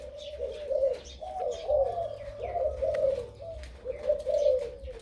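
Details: A crossbred dove with a deep, big voice gives a 2-3 'kuk' kharam-style song of steady, throaty rolling coos in connected phrases. Light chirping from other birds and a low rumble run underneath.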